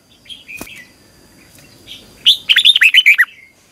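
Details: Red-whiskered bulbul singing during training: soft chirps and a sharp click early, then a loud run of about eight quick, slurred whistled notes toward the end.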